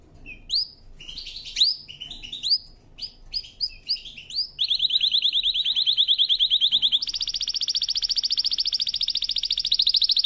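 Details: Powerful canary song for training: varied short upslurred chirps, then a long rapid trill of high repeated notes, switching midway to a higher, even faster rolling trill.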